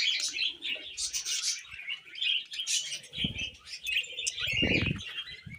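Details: Pet budgerigars chatter and warble in quick, uneven bursts of squeaky chirps, with several muffled low thumps, likely handling or movement.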